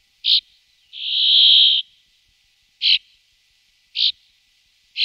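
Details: Brambling, one of two pairs watched in the afternoon and evening: long drawn, harsh buzzy wheeze lasting nearly a second, between short buzzy notes at irregular intervals of one to two seconds, in otherwise quiet surroundings.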